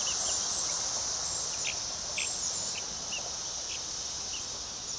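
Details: Numerous two-week-old hatchery chicks spending their first minutes outdoors in a coop; brief high peeps sound irregularly, a few each second, over a constant loud high hiss.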